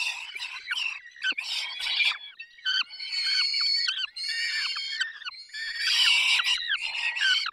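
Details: Peregrine falcons at a feeding, Barycz Valley, Poland, 20 May 2021: continuous strained, harmonic whining calls from several birds, rising and falling, with louder shrill bursts near the end.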